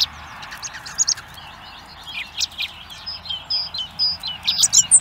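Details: Hungry baby blackbirds begging at a feeder camera in Recke, Germany: thin, high whistled notes and sharp chips, sparse at first, then a quick run of repeated piping calls toward the end over a steady low hiss.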